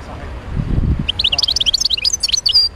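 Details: Wild goldfinch of Médéa: a brief low murmur, then an energetic run of sharp, tinkling chirps and liquid twitters, ending in a drawn-out whistled note.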